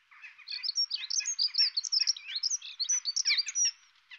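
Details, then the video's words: European robin song during courtship, when the male brings food to the female, who begs with trembling wings: a quiet, continuous, rapid warble of high thin twittering and tinkling notes lasting about four seconds. "roodborst hofmakerij"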